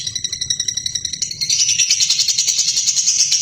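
A lovebird chatters in a fast run of high, shrill chirps, about three a second, building into a dense buzzy twittering.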